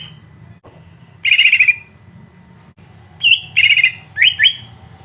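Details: Greater green leafbird song used as tutor material to provoke a bird: a dense buzzy trill, quiet gap, then a flat whistle, another rattling trill and two rapid upslurred whistles.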